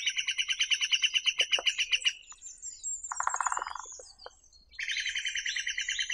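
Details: Great spotted woodpecker: a fast run of sharp, bright calls for two seconds, then a short low drumming roll. After a pause, busy high chattering notes follow.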